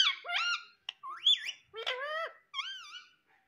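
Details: Female Indian ringneck parakeet, a pet parrot said to talk in Hindi, calling "mummy": a run of harmonic, wavering squawked syllables rising and falling, given in about four bursts with short pauses, indoors.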